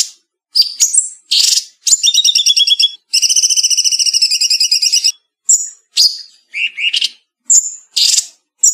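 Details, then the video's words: Bulbul known as cucak cungkok singing fast 'speed rapet' song: sharp chips and whistles, a stepped pulsed trill, then a two-second rapid buzzy trill, followed by varied whistled slurs and harsh chattering notes. "Cucak Cungkok Speed Rapet, Pedas, Cadassss..!!"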